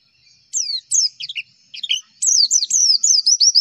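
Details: High, thin twittering of a Javan white-eye used as a tutor song: short slurred chirps in uneven groups, pausing, then a fast, continuous string of bright descending notes.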